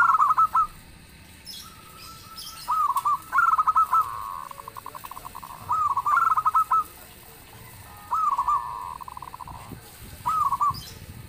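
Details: Loud song of a local zebra dove, other doves answering it: rippling coo phrases with quick clipped notes and drawn endings, some trailing into a held coo, repeated every one to two seconds.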